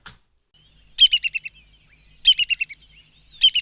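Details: Brown-hooded kingfisher (Halcyon albiventris) call, which can be confused with a tree squirrel: three short, high chattering bursts of five or six quick notes, each run slightly falling, spaced about a second apart.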